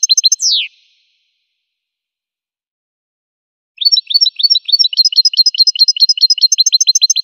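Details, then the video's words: Goldfinch singing: a few chirps and a downward-sliding whistle, then a pause of about three seconds before a quick, regular series of high tinkling notes resumes. "Golden-feathered Goldfinch singing show"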